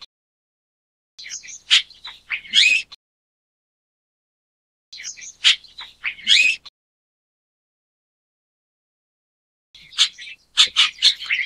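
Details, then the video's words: Chestnut-tailed Starling gives three short bursts of chattering, squeaky and grating notes about every four seconds, high-pitched and varied, with quiet pauses between. "灰頭椋鳥(栗尾椋鳥)/Chestnut-tailed Starling"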